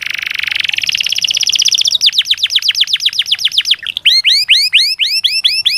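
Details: Canary song used as training to prompt lazy canaries to sing: a fast buzzy trill near four kilohertz shifting into rapid descending notes, then a series of bright upswept whistled chips repeated about four per second.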